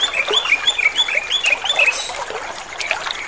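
A greater green leafbird sings a rapid, varied run of bright chirps and slurred whistles, about three notes a second, against a light background hiss.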